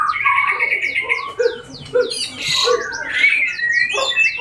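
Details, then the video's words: Bornean white-rumped shama, described as singing vigorously and aggressive, delivering a rich, fast medley of varied whistled notes, short sweeping slurs and chattering phrases with little pause, notes leaping between low and high pitches. "Burung murai borneo gacor dan agresif"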